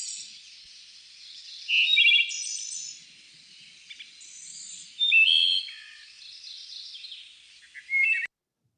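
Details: Wood Thrush song: three flutey, bell- or chime-like phrases about three seconds apart, each ending in a high, shimmering trill, over faint background hiss.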